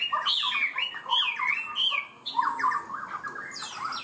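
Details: Caged Chinese hwamei singing in a high-pitched style, quick to start and steady: loud, varied whistled phrases that slide up and down, with rapid warbled notes in a dense run. A brief pause comes midway.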